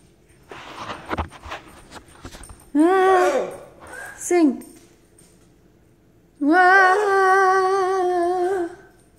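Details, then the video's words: A pet Harlequin macaw singing when its owner isn't looking: long, voice-like sustained notes with slight wavering, two short phrases then one held note of about two seconds, after brief human speech. "Harlequin Macaw Sings Only When Owner Isn't Looking"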